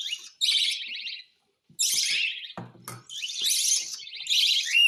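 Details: Hand-fed cockatiel giving harsh, pulsed rasps split by a silent pause, followed by a sharp knock and renewed loud buzzing calls ending on a thin whistle.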